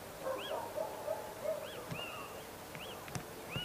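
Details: Little owl giving several high arched, whining notes that rise and fall. They are interspersed with lower, short mellow notes repeated about every quarter second. Background hiss is steady, with a brief click near the end.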